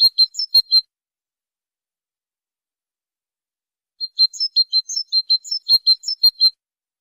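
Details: European goldfinch song recorded for teaching other birds: a short twittering burst, a pause of about three seconds, then a longer run of liquid high chirps and trills mixed with buzzy notes, against a silent background.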